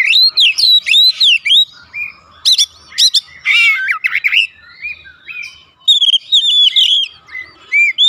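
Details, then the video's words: Oriental magpie-robin singing at home, used to prompt other birds into song; loud energetic sequence of looping whistles, sharp chips and scratchy trills, delivered in rapid bursts. "AUTO RESPON NGEPLONG GACOR KACER ANDA DIRUMAH"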